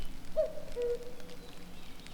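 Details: A Common Cuckoo, heard beside a mountain forest road, gives one clear two-note 'cu-coo', the second note lower, over a steady low engine-like rumble.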